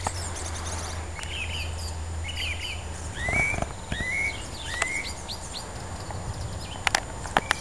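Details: Unseen bird singing loudly and at length from a hedge near the vegetable area of Levens Hall Gardens in May 2007: short clear whistled notes, several rising sharply, mixed with buzzy chirps and clicks over a low steady hum.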